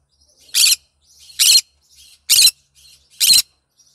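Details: In the morning in a bird room, a green conure gives four harsh, raspy screeches, each about a quarter-second long and spaced just under a second apart, with faint softer chatter between them.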